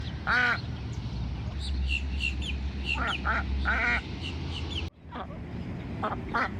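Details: Female Pekin duck swimming in Florida, calling loudly to attract a male for courting: loud harsh quacks in short series, some rising and falling, with softer quacks between and steady low background rumble.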